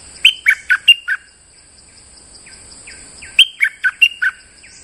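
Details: Bulbul kept as a lure bird gives two clusters of five bright, slurred chirps, the second cluster after a pause filled with soft falling notes, against steady high-pitched hiss.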